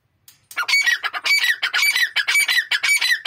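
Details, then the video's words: A male and female grey francolin pair call together in a loud, harsh, rapidly repeated chorus of squawking notes, their voices overlapping in a continuous stream. "Male and female grey francolin continues voice"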